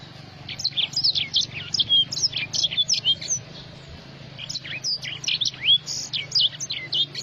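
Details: Black-throated sparrow singing a rapid run of bright, high chirps and short downslurred whistles, phrases repeating in bursts with brief pauses, over a faint low hum.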